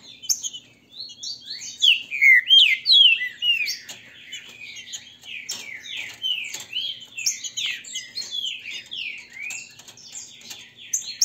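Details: Captive green-winged saltators (trinca-ferro), a "grego mole" and a "boiadeiro" song type, duel to warm up, trading loud, slurred whistled phrases back and forth, notes rising and falling quickly and overlapping throughout.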